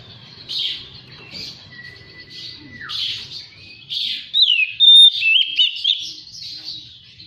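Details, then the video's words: Oriental magpie-robin song meant to coax beginner birds into singing and fanning the tail: a long level whistle ending in a drop, softer chatter, then loud, rapid, wavering whistled phrases. "SUARA PANCINGAN KACER BAHAN"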